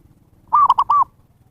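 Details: Wild-bird lure call of a zebra dove: one phrase of four clear, rounded coos, the first and last longer and gently arched, with little background noise.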